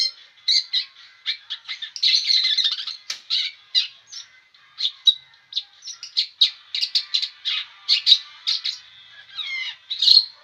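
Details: Long-tailed shrike that will not stop singing pours out rapid, scratchy chatter of short high notes, dense and irregular, with occasional slurred whistles.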